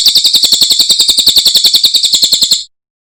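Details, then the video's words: Cililin training song for cage birds: a rapid, steady series of bright, high chirps repeated several times per second, ending abruptly into silence. "Masteran Burung Cililin"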